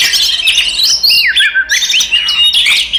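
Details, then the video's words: Oriental magpie-robin fighting song, used to rile up other magpie-robins: harsh rasping chatter opening into a clear downward-slurred whistle, then more scratchy and whistled notes in a rapid stream. "SUARA BURUNG kacer gacor TARUNG konslet paling AMPUH buat PANCINGAN KACER EMOSI"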